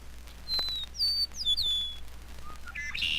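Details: An Eastern Meadowlark gives a short run of clear, sweet, slurred whistles that slide downward, followed almost immediately by the harsher, buzzier ascending song of a red-winged blackbird.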